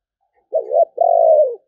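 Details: A single spotted dove phrase of 'sấm bầu' style song: a short wavering two-part coo followed by a longer, steady, slowly falling coo.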